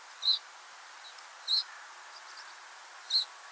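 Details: Common reed bunting in a coastal area of western Europe in autumn or winter gives three short, high, slightly rasping call notes spaced about a second and a half apart over a soft background hiss.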